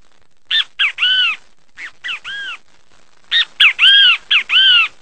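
A great kiskadee gives its loud three-part 'bem-te-vi': two short harsh notes, then a longer arched one. It repeats three times, the middle phrase softer.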